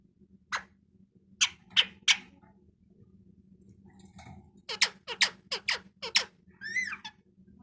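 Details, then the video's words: Parrot presented as talking, sounding off indoors: scattered harsh rasping squawks early, a quick series of five sharp calls near the middle, then a bending whistled note at the end, over a steady low electrical hum. "Parrot Talking Voice"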